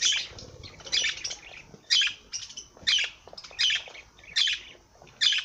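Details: Parrot calling with harsh, high squawking bursts that repeat roughly every second. Each burst is short and bright, with quiet pauses between calls and a faint low background rumble.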